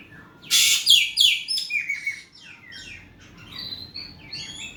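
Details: Loud, vigorous Asian pied starling song for stirring a quiet bird to reply: opens with harsh, crackling bursts in quick succession, then trails into thinner whistled and chirped phrases.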